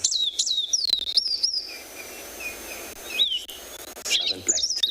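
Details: A drongo at sunrise on 25 January in Tswalu Kalahari Reserve, South Africa, pours out a varied stream of high, sharp whistles, chirps and sliding notes, including mimicked calls, in quick bursts with short pauses.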